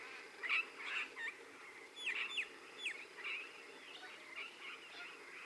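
Regent parrots give a run of harsh, scratchy chattering calls mixed with sharp downslurred notes, several overlapping through the clip.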